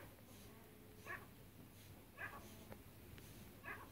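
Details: Faint chukar partridge from a pair, Pakistan's national bird: short bright clucking notes repeated about every second, over low background hum.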